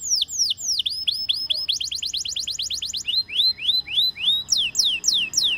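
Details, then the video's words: Canary singing varied phrases: falling slurred whistles, a quick evenly spaced run of upward notes, rising hooked whistles about twice a second, then steep descending sweeps. "Canary Singing Bird Sounds"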